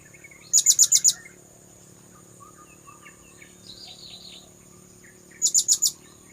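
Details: Blue-crowned hanging parrot call used as a bird lure: five shrill, very high notes in a fast burst, soft distant chirps in the pause, then four more shrill notes.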